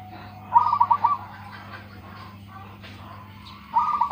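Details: Local Indonesian zebra dove (perkutut lokal) with a big voice: a quick burst of five or six soft, bubbling coo notes, repeated after about three seconds of quiet, with a low steady hum behind.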